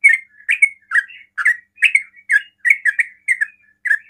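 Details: Rapid 'ropel' song of a sooty-headed bulbul, used to lure other bulbuls into replying; brisk run of bright warbled chirps, about ten notes in four seconds, each a quick up-and-down flick, no other sounds.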